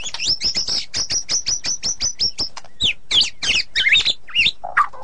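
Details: White-rumped shama in ngeplong and ngeroll song: a rapid string of about fifteen identical high, sharp notes, then varied buzzy and whistled phrases dropping lower toward the end.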